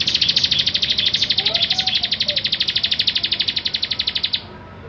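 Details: Lively 'gacor' song of a kept bar-winged prinia, used as tutor material for training songbirds: one sustained rapid run of evenly pulsed, buzzy high notes lasting about four seconds, then abrupt silence.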